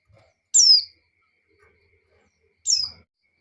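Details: Two shrill, descending notes about two seconds apart from a breeding-condition female white-eye calling for a male, with faint low thumps.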